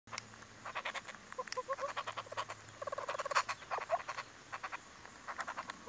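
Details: A hornbill feeding its chick: rapid, rattling clucks and croaking notes in quick uneven bursts.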